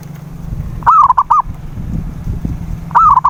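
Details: Zebra dove, local perkutut, calling as a lure to make a silent dove sing; a slurred cooing phrase with quick short notes, then the start of another, over a noticeable low humming drone.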